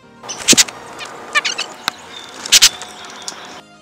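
Red-breasted Nuthatch giving two harsh, scratchy bursts about two seconds apart, with a few short nasal, tinny notes between them.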